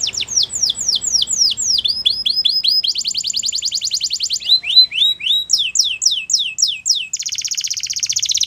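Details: Wild canary in full morning song: loud, varied tours of down-slurred whistles, rapid buzzy trills and lower repeated notes follow one another without a break, ending in a steady high rattle.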